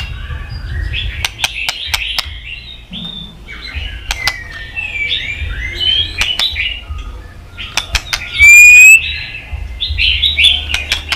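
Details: White-rumped shama song played to provoke a fighting song, with many voices: varied whistled and warbled phrases in quick succession, with sharp clicks and a brief loud rising whistle, over low background rumble.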